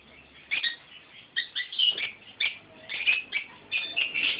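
A sun conure gives a string of harsh, high chirps and squawks in irregular bursts.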